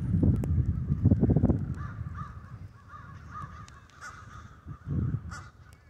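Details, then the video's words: Crows roosting in Denver snow, a murder of them; deep rumbling noise opens, then a run of rasping caws follows in quick succession. "Murder of crows roosting in the Denver snows"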